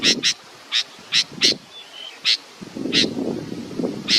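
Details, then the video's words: Baby bird waiting for its mother utters a run of crisp, high, clicky chirps, often in pairs, repeated irregularly, over rustling and low background noise. "A beautiful baby bird is waiting for its mothe"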